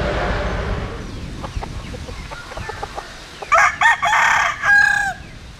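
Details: Vigorous crowing from a Jap Cuban bantam cockerel, offspring of a Japanese bantam hen and Cuban rooster: after quieter background sounds, a loud crow breaks into three or four strong, ringing syllables, the last one held and rising.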